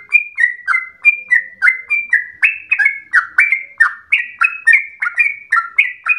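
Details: Yellow-vented bulbul singing nonstop in a long rapid song likened to a straw-headed bulbul: dense stream of short liquid whistles, alternately rising and falling, about three or four per second.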